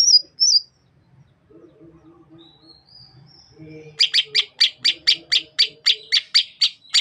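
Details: Greater green leafbird of the Sukamade form from Banyuwangi, East Java, whose song opens with mimicry: a few high whistles, then rising whistled notes and a fast run of about fourteen sharp, buzzy chips, with faint low background hum.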